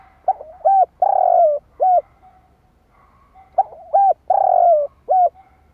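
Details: Decoy spotted dove call meant to draw in wild doves: two full phrases, each a few short hollow coos around a long, gently falling coo, separated by a brief silence over a faint hum.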